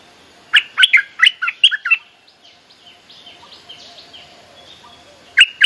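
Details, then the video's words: Bulbul lure call to attract a mate and teach young birds: a string of rapid bubbly notes, then softer, thin chirps from other birds, and a fresh loud phrase at the end. "เสียงนกดอกแตงEp.186 เพลงเรียกคู่ หัดลูกเสอ Suara pikat merbah lekir gacor"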